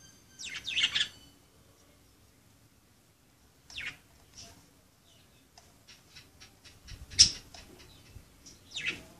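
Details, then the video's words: Budgerigars at play: a few short, sharp chirping bursts separated by quiet gaps, with soft fainter chirps in between and a quiet background. "Pericos australianos jugando"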